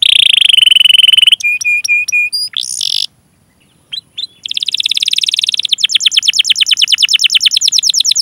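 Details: Singing canary with cuit-cuit chirps and 'ngerol' rolls, recorded to draw song from young, untrained or silent canaries; a buzzy trill, level repeated chirps, a pause, then a long quickening roll.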